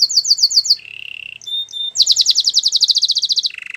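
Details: Canary training song: a quick series of bright high repeated notes, then a lower buzzy roll, a few short clear whistles, and a long rapid trill of bright chirps that drops into a lower rolling trill at the end.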